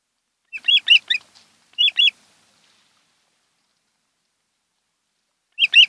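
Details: Osprey at a nest on Kent Island, Maryland, recorded by a nest camera in July 2018: two short bursts of paired whistled chirps, a long pause of silence, then another pair begins.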